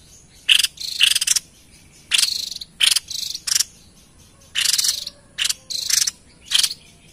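White-breasted babbler giving harsh, buzzy, high-pitched bursts, about ten in seven seconds, each under half a second, delivered in uneven clusters.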